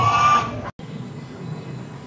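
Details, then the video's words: A peacock in Malaysia, filmed while opening its feathers, gives a loud, nasal, wailing note that cuts off abruptly after less than a second; only a low background rumble follows. "Peacock Opening its Feathers and Sound"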